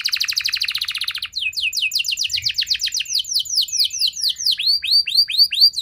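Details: Canary in song, meant to make other canaries respond quickly: a rapid buzzy trill breaks into a long run of descending whistles, finishing with repeated arching, rising-and-falling notes.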